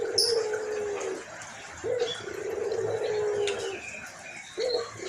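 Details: White collared dove, an albino puter with a hoarse voice, calling steadily: a series of long, low, slightly falling coos, each started by a short upswept note. Light twittering of small birds sounds faintly above.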